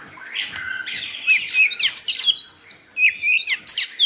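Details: White-rumped shama song used to tutor another shama: crisp whistled phrases leaping between high and low, with quick upslurred notes and sharp staccato squeaks in rapid, uneven succession.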